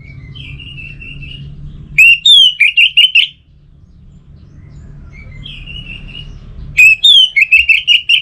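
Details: Orange-headed thrush singing a lure song for kept birds: gentle warbled lead-in, then a burst of rapid, loud, varied whistles and slurred notes, the pattern given twice, with low hum beneath.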